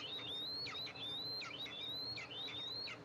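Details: Eastern imperial eagles, a mother arriving to feed her two eaglets in the nest, nest camera, July 14, 2024. Shrill thin whistles with abrupt downward slurs repeat rapidly over a hissy background.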